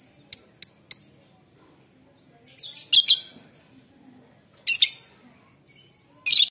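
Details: Male lovebird bought at a bird market in Mojokerto, on its second day of care, recorded on a phone: three thin high chirps, then a few harsh screechy bursts spaced far apart, with quiet room murmur.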